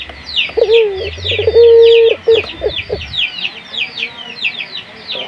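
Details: Local puter dove cooing to prompt other doves to sing. Two short low hoots, then a steady sustained coo about half a second long, with a low hum beneath and continuous high chirping of small birds that carries on alone afterwards.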